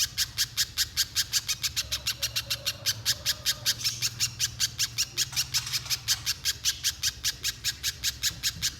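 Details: Spiderhunter, locally called pijantung pisang, singing nonstop; the recording serves as a lure to provoke another spiderhunter into long singing. Sharp, high chipping notes come in a fast, steady series of about two and a half per second throughout.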